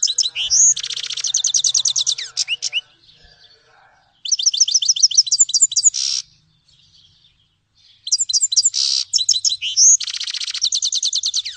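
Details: Grey-headed goldfinch (Carduelis caniceps) song in three bursts separated by pauses, each a fast run of sharp repeated chips mixed with twittering slurs and brief harsh buzzy notes.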